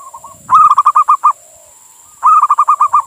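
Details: Male zebra dove of a local Indonesian strain calling a female, used to lure or prompt other doves: soft lead-in coos, then a burst of about seven quick rolling notes, a pause with gentle coos, and another matching burst.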